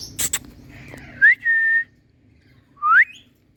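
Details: Happy pet Indian ringneck parrot whistling: a rising note flowing into a steady held whistle, then after a pause a second sharply rising whistle; brief clicks at the start.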